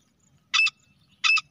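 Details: Female grey francolin call used as a hunting lure: two harsh, scratchy double notes about three-quarters of a second apart, each a quick two-part burst, against an otherwise quiet background.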